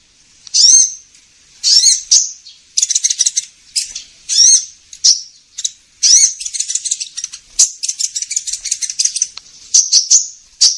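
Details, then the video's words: Kolibri ninja sunbird calls used as a lure sound for trapping: high, thin upslurred chirps alternating with rapid buzzy twittering bursts, repeated over about eleven seconds with short gaps, no other sounds. "Suara pikat burung kolibri ninja"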